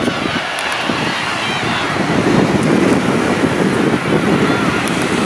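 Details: Engine drone mixed with wind buffeting the microphone and a faint voice, with no animal sounds.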